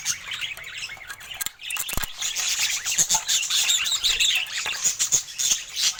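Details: Pet budgies with colour mutations chattering continuously in a dense, warbling stream of high twitters and squeaks, with a few clicks and knocks in the background.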